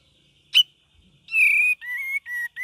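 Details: Cream-vented bulbul with ngeriwik variations: a brief chip, then one long level whistle and two shorter whistled notes in quick succession.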